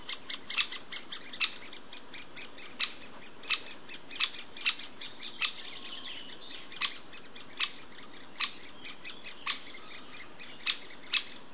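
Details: Great spotted woodpecker feeding its young; the nestlings give short, sharp, high chips in irregular bursts, several each second, over a faint hiss of background noise.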